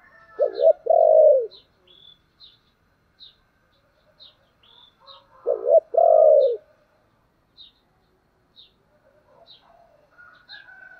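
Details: Spotted dove with the 'thổ' voice style, giving urging and calling coos. Two loud, low coo phrases about five seconds apart. Each is a short doubled note followed by a long, drawn-out falling coo. Faint high chirps from small birds tick throughout.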